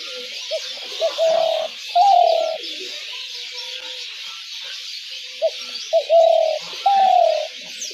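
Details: Spotted dove calling to draw doves into traps, two full phrases of short lead-in notes and paired long coos, the last of each falling, with gaps of steady hiss between.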